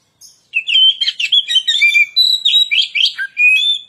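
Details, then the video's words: Kacer, or Oriental magpie-robin, lure song meant to provoke other birds: loud, fast and varied warbling of clear whistles mixed with scratchy chirps, rising and falling phrases running without pause for over three seconds. "burung Kacer pancingan suara"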